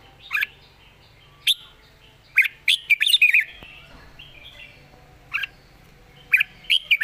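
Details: Red-whiskered bulbul praised for good phrasing and a light voice: scattered short, bright chirps, a brief run of quick slurred notes, then more single chirps and a closing pair.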